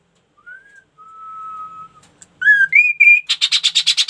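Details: Ashy tailorbird singing actively: a soft rising whistle and a long, steady, level whistle, then louder stepped notes climbing in pitch. The phrase ends in a rapid series of rasping, buzzy pulses.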